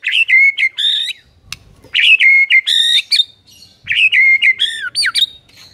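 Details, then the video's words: White-rumped shama master song meant for training quiet shamas: three phrases of rich whistled notes, each a held tone breaking into quick rising and falling slurs, about a second apart. "MURAI BISU DIJAMIN NYAUT GACOR DENGAR MASTERAN MURAI BATU INI"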